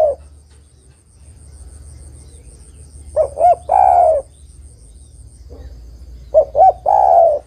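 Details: Female spotted dove calling for a male, giving a phrase of two short mellow coos and a prolonged downward-sliding coo, repeated about every three seconds, with a low background hum.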